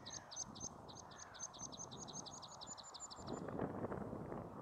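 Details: Meadow pipit singing at Bossche Broek on 22 March 2017: a rapid run of about seventeen thin, high, sharply repeated notes over roughly three seconds, then it stops, leaving a low background rumble.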